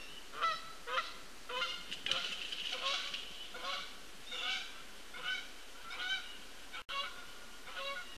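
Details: Canada geese calling as they fly over a pond near a feeder at 07:22 on 20 September 2017 give loud, nasal two-toned honks in an uneven series, roughly one or two a second, calls sometimes overlapping.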